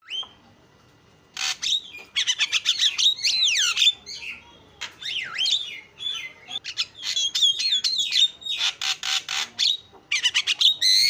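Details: Starling singing a lure song meant to get other starlings singing: a busy medley of harsh squawks, buzzy rasps and high whistled slurs rising and falling, delivered in dense bursts after a quiet opening second.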